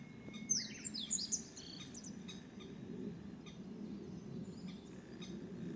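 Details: A crested kingfisher, one of at least five at a woodland site where it may nest in a cliff during breeding season, gives a second-long burst of harsh, high, grating chatter over steady low rushing, 30 May 2017.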